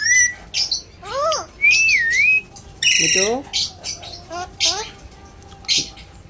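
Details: Alexandrine parakeet talking as a pet opens with a whistle and a wavering whistled phrase, then gives speech-like falling syllables amid short harsh squawks, spaced about a second apart.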